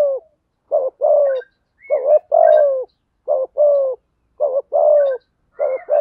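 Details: Male and female spotted doves calling for bird training and luring: steady series of phrases, each a clipped double note then a longer husky falling coo, roughly one every second, with faint chirping birds.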